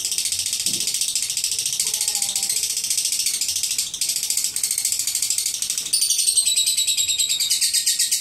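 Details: Lovebird ngekek, a long chatter. A continuous high rattling trill of rapid pulses runs for over eight seconds and brightens and sharpens in its last two seconds, with a brief faint lower whistle early on.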